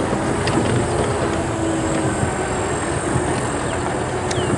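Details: Steady vehicle engine rumble and road noise fill the recording, with no animal calls standing out.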